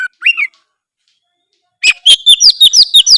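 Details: Kacer, the Oriental magpie-robin, in full isian gacor song. A brief rising whistle, a pause, then rapid repeated chirping notes, about three per second, each with a downward-sweeping whistle.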